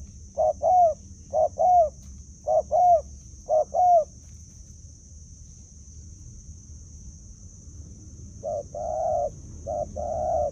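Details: Spotted dove kept as a decoy bird, cooing: four paired hollow low coos in the first four seconds, a pause, then three more coos near the end, over a steady thin high whine and low rumble.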